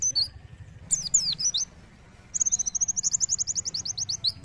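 An Oriental white-eye sings very high, thin notes: a brief twittering phrase, then a fast run of about twenty sharp, repeated chips.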